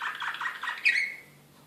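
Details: Excited Serbian Slavujar canary from Belgrade, 2016, giving a brief burst of rapid chirpy syllables that ends in a bright, sliding whistled note, then fades to quiet.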